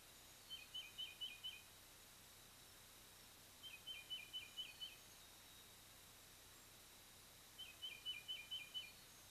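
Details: Bald eagles at their nest atop a Loblolly Pine by Kincaid Lake, Kisatchie National Forest, Louisiana, visiting on 3-10-23 while the fledged eaglets were away; three bursts of five or six high, thin, piping chitters, spaced a few seconds apart.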